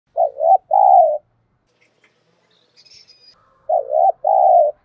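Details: Spotted dove calling to lure wild doves: two paired coo phrases, a short hooked coo then a longer level coo, repeated after a pause of about two and a half seconds, with faint high chirps between.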